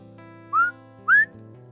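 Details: A male Northern Bobwhite calling early in the morning from a slash pine snag at Pine Glades Natural Area, Palm Beach County, Florida, a little late in the season: a clear two-part whistle, two quick upslurred notes, the second louder and higher, over a low hum.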